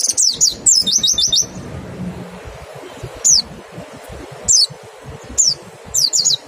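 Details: Mountain white-eye in 'nembak' style song, used with a 'ngecal' lure to stimulate singing: a fast opening burst of high, slurred notes, then sparse, isolated, thin, falling whistles.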